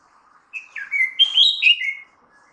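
A red-whiskered bulbul gives a short, bright phrase of liquid whistled notes, jumping up and down in pitch over about one and a half seconds.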